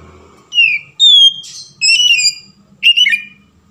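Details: Oriental magpie-robin song played as a lure to trigger singing: four clean whistled phrases, falling slurs and a level warbled note, the last one a buzzy descending flourish, with quiet gaps in between.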